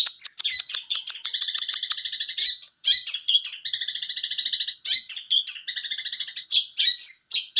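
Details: Long-tailed shrike in full, varied song: a string of sharp clicks, then extended buzzy trills with a lower harmonic band, separated by brief pauses and squeaky whistled notes, over a constant faint high whine.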